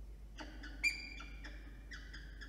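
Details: Peregrine falcon at its nest during incubation of three eggs, New South Wales, Australia, early morning of 27 September. Several short, clipped, harmonic notes come in uneven clusters, with one sharper, louder note near the middle over a quiet background.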